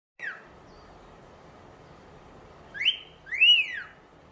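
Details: A pet cockatiel (Nymphicus hollandicus) that turns camera-shy gives a quick falling whistle, then two louder arched whistles close together that rise and drop again, over a steady indoor hum.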